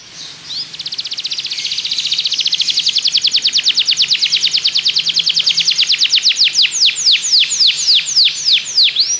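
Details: Belgian canary singing, used for training other canaries to sing: a long rapid trill of high notes that starts fast and tight, then slows into wider, separate downward-sweeping notes toward the end.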